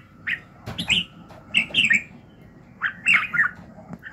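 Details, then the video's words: Morning song of a red-whiskered bulbul kept for voice training: three bursts of quick, liquid warbled notes separated by short gaps. "luyện giọng Chào mào buổi sáng kích lửa hiệu quả"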